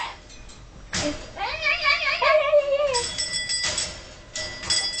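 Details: Pet yellow-fronted amazon parrot, a 3-year-old male known for talking and singing, producing a two-second run of wavering, harmonic, voice-like notes that slide downward, with soft music and a person talking nearby.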